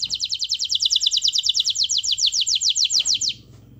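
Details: Canary (kenari) master song for training other canaries to sing: a fast run of bright, repeated downward trill notes, about forty in three seconds, then it stops abruptly with faint background hum.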